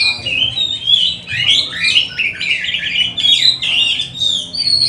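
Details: Oriental magpie-robin singing 'nembak' style as a lure for training other magpie-robins; a steady stream of shrill, twisting whistles and rapid chattering notes.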